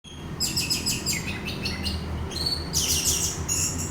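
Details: Orange-headed thrush song used as a lure to provoke another bird to sing: bursts of high, varied, buzzy and whistled notes in quick runs, a clear sliding whistle near the end, over a low steady hum.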